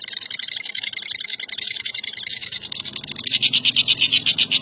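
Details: Lovebird of the genus Agapornis, a world-champion contest singer, giving sustained thin, high chatter that rises into a louder, rapidly pulsing buzzy trill in the last second and a half.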